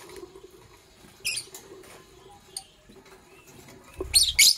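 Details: Morning chirps from pet Fischer's lovebirds, a parblue violet and a pastel green opaline: one sharp, high chirp, a quiet stretch, then a loud, rapid cluster of harsh, shrill notes near the end.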